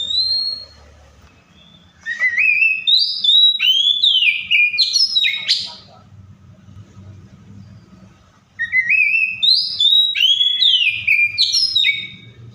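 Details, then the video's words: Oriental magpie-robin copying other birds' voices, two long bursts of fast chirping, rising and falling whistled notes and trills separated by a quiet gap of several seconds. "COPSYCHUS SAULARIS SOUNDS LIKE THE WILD MAKES OTHER BIRDS SOUND!"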